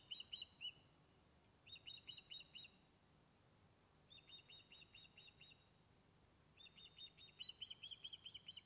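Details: Fish-calling by osprey Blue44, back on its Loch of Lowes nest in Scotland after being lost, webcam recording: three loud bouts of rapid, high, piercing chirps, each of six to ten notes, about 140 notes a minute, separated by pauses.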